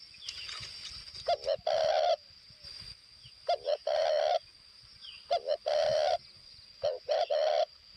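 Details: Northwest Vietnamese decoy spotted dove calling four times in quick succession, each phrase a couple of brief coos leading into a longer rolling croo; continuous high whine in the background.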